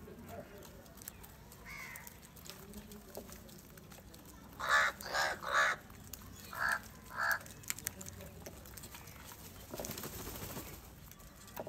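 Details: Crows in a very large flock gather and fight over salty food. Five loud, harsh, hoarse caws come in a quick uneven burst midway, with a fainter caw earlier, over steady rustling and clicking background noise.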